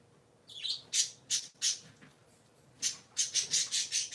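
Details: Three pet parakeets kept indoors squawk loudly on a Sunday morning: harsh, high, broadband notes in quick runs, an opening rising chirp, then a rapid string of five closely spaced squawks near the end.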